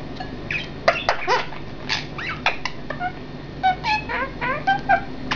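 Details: Three pet parrots talking to each other: dense run of short squeaky chirps, rising and falling whistled notes and harsh chatter, overlapping rapidly, with a low steady hum underneath.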